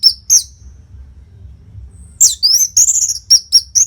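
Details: Non-stop orange-headed thrush song serving as a model for competition birds: two high whistles, a quiet gap, then a fast, dense series of bright slurred whistles and clipped notes.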